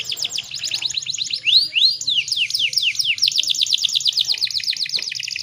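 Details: Canary lure intended to stir males into song: fast rolling trill, a few slower loud descending swoops, then rapid repeated chips at high pitch, low background hum.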